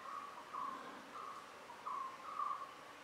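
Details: A resident White-rumped shama in dense vegetation at Matheran hill station gives soft, low whistled notes, held briefly and repeated in short phrases about every half second, over a quiet hiss.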